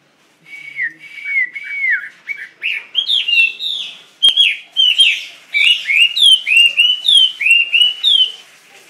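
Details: Caged Chinese hwamei singing a long, varied run of loud whistled phrases, opening with falling slurred notes and moving into rapid rising and falling whistles repeated almost twice a second.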